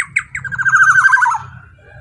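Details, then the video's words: Short burst from a black-naped oriole, loud call meant as a lure for other orioles: two quick harsh notes then a fast nasal rattle sliding slightly downward, over a steady low hum. "kicauan POWER suara KEPODANG GACOR super KERAS LANTANG cocok untuk pancingan kepodang emas"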